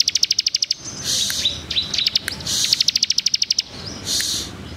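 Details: Bar-winged prinia (ciblek) singing vigorously in a rapid-fire 'dor tembaan rapet' style: bursts of fast, evenly spaced high clicking notes alternate with buzzy, shrill scratchy phrases and brief whistled slurs, repeating several times over a faint low background rumble.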